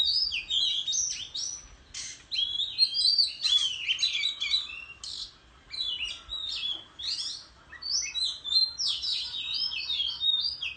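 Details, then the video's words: Oriental magpie-robin in the countryside, singing competitively while fanning its tail in display; a dense, varied run of bright whistled phrases, slurred rising and falling notes and short chirps that follow each other almost without pause. "Chích Choè Than Hót Múa Xoè Hót Đấu Tại Vùng Quê"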